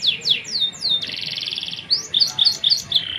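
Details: Canary in long, lively song: descending whistled sweeps, a sustained buzzy rattling trill for about a second, then quick repeated chirped notes; faint low background noise.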